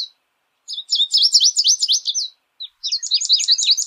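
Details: American goldfinch singing freely in nature: a quick run of high, bright twittering notes with sweeping upslurs, a short pause, then another rapid twittered phrase. No other sounds.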